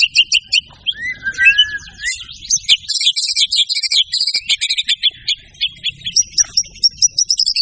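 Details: Singing white-rumped shama displaying its repertoire. A low sliding whistle opens a dense stream of varied high chattering notes and quick trills, running almost continuously.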